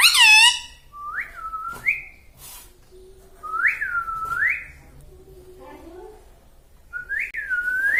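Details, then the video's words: Talking green ring-neck parrot at home that says "mummy" and "papa": a harsh opening call, then repeated rising and falling whistled slurs with short gaps, in a quiet room. "talking mummy || papa bolta Mithu"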